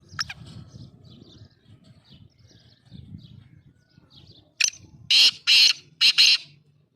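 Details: Black francolin calling in Sindh, Pakistan: after several seconds of faint chirps from other small birds and low rumble, a harsh, grating phrase of four loud rasping bursts is delivered in quick succession.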